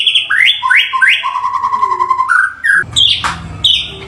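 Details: White-rumped shama song used as a lure to provoke other birds into singing: loud varied whistles, repeated descending slurred notes, steady whistled tones and sharp high chips, with a few harsh buzzy bursts near the end.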